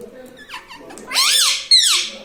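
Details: Indoor pet parrot that says mummy papa, starting with soft chirpy sounds and then giving two loud, arched, speech-like syllables, the second sharply attacked and sliding downward.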